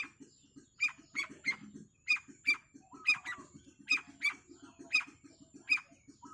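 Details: Long-tailed shrike repeating squeaky, sharp high notes in pairs and triplets roughly every second, against a continuous low rhythmic pulsing.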